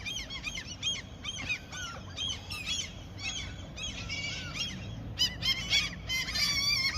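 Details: Gulls gathered for food in their territory where someone fishes give rapid, overlapping squealing cries and downslurred yelps, growing louder and more crowded toward the end over a low rumble.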